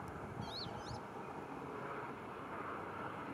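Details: A rock sparrow (Petronia petronia) at Gáldar, Gran Canaria, in July 2022 gives two quick, thin, nasal slurred notes about half a second apart, against steady wind or distant traffic rumble.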